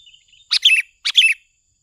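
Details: Sooty-headed bulbul used as a lure, two matching short bubbly phrases about half a second apart, each a sharp note followed by a warbled downslurred flourish, over quiet background.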